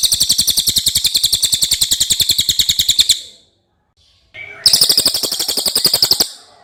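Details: Clear common iora song used as a tutor recording: a long three-second run of rapid, high, buzzy repeated notes, a short silence, then another quick trill burst of similar pitch.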